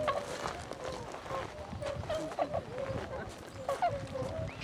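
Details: A flock of tundra swans gives soft, hooting, slightly nasal calls in overlapping bursts, with a constant murmur of other birds behind; recorded 26 February 2012; Tundra swan.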